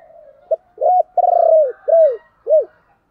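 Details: Decoy spotted dove calling to attract wild doves, a soft lead-in note then a phrase of coos: a short note, a long vibrating coo and two clipped, arched coos at the end.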